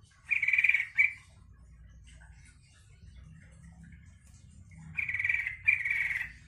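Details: Yellow-vented bulbul song meant to provoke other bulbuls into replying: two bursts of rapid bubbly chattering notes, separated by a quiet gap with low background rumble.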